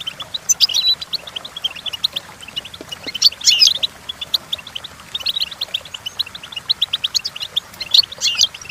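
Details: Goldfinch singing for song training: long, unbroken stream of rapid tinny chirps with a few louder buzzy, rattling flourishes, energetic and even-paced from start to finish.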